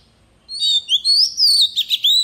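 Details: Voice-training song of a decoy Oriental magpie-robin in forest style: after a short pause, sweet slurred whistles climb and dip, ending in rough buzzy notes and a final rising whistle.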